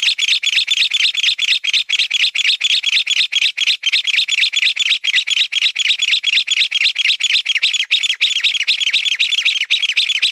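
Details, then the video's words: Mountain bamboo partridge calling in a long, steady series of harsh, chattering notes, about four per second, sustained without pause for over ten seconds; the bird's voice dominates with no other clear sounds. "Mountain bamboo partridge call"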